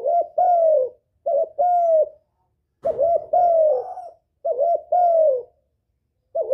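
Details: Lure call of a spotted dove meant to stimulate a decoy and call in males: soft double coos, a brief note then a drawn-out falling hoot, repeated in steady phrases with one faint rustle.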